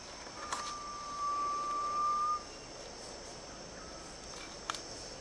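Garnet pitta giving a long, pure, drawn-out whistle that rises slightly, then a shorter, fainter whistle, over a steady hiss of insects.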